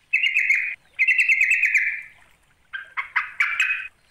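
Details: Sooty-headed bulbul summoning a rival: two drawn-out raspy chatters, then a quick series of four or five short, sharp, scratchy notes, with a clean, quiet background.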